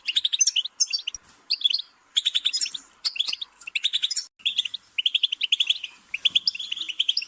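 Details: Lively goldfinch song made of repeated bursts of tinkling, high chirps and rattling trills, with short pauses between phrases.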